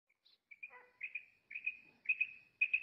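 A female common quail gives high, clipped double notes, four quick pairs about half a second apart, on a quiet background.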